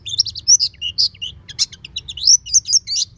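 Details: Household oriental white-eye in loud ngeplong song, with beak wide open: very high, rapid, sweet twittering notes, slurred up and down in quick bursts over a faint low rumble.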